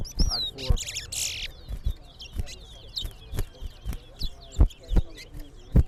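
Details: Large-billed seed-finch (towa towa) in a bird singing competition sings quick, high warbled whistles and twitters, partly masked by loud, irregular knocking thumps and brief voices.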